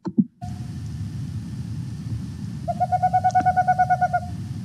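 A male Boreal Owl gives a short single hoot, then a rapid, even run of about fifteen mellow mid-pitched hoots, over a low background rumble.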